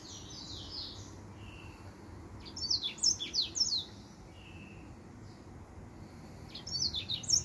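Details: Finch with white tips giving his song: two clusters of rapid sharp chirps with descending sweeps and short buzzy notes between, separated by quieter pauses, over a low hum.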